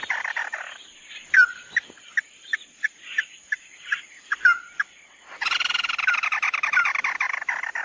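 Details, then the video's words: Chim mắt đỏ performing the tí nỉ song. Soft chatter gives way to spaced, sharp chips and a few downslurred whistles, then a sudden long, harsh, dense rattling trill. A faint continuous high whine is heard. "Tiếng chim mắt đỏ tí nỉ chuẩn nhất"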